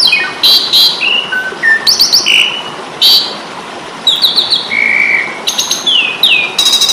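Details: Indonesian jalak suren, the Asian pied starling, singing its fighting song for training caged birds: loud whistled phrases jumping between high and middle pitches, flat sustained notes and harsh clicks.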